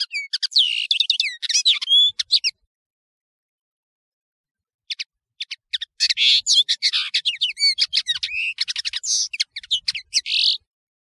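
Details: European serin song from a clear tutoring recording: a quick, high, glassy jingle lasting over two seconds, a silent gap, then a longer, denser outpouring of buzzy, twittering notes.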